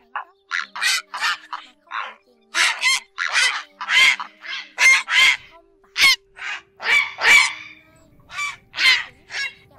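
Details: Night lure recording of grey herons calling the flock, August 2024 migration season. A long run of harsh, grating squawks, irregularly spaced and often closely overlapping, repeats about every two seconds, with a faint constant hum behind.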